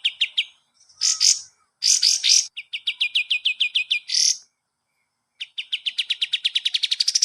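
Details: Training song of a kapas tembak for cage birds: rapid repeated notes mixed with harsh, raspy bursts, then a long trill of sharp notes that rises steadily in pitch toward its end.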